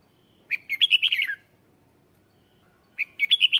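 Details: A decoy red-whiskered bulbul sings to call in wild birds: a rapid, cheerful chattering phrase of bright warbled notes, then the start of another after a short silence.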